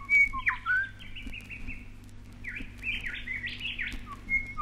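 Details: Grey shrike-thrush (grey thrush, Colluricincla harmonica) song on a 1968 Australian wildlife vinyl record: clear, varied whistled phrases slurring up and down with a few sharp high notes, over a faint low hum.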